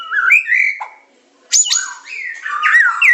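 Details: White-rumped shama, Medan type, masteran song in the super pancingan, macet, tembakan and isian style: looping whistled notes, a short pause, then a piercing high burst followed by warbled, wavering phrases.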